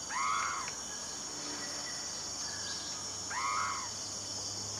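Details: Repeated arching whistles from a Blyth's frogmouth, two calls roughly three seconds apart, each rising sharply and sliding down, while insects keep up a dense high drone behind.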